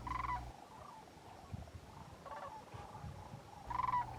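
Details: A passing flock of Sandhill cranes flies over at Quivira Wildlife Refuge on a sunny 18 January, calls growing louder: rolling, rattling bugles, a loud burst at the start, fainter calls between, another loud burst near the end, over wind rumble.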